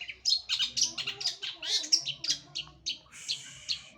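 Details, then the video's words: Long-tailed shrike, a kept bird in full song: a fast run of sharp, squeaky, high chattering notes, several each second, broken by brief pauses, over a faint low hum. "Gacoran Full Burung Cendet"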